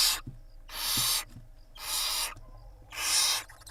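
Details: Mother barn owl preening her chicks, recorded at a live nest camera in Israel on 26 April 2021. Harsh, rasping hisses come about once a second in three long bursts, with soft thumps between.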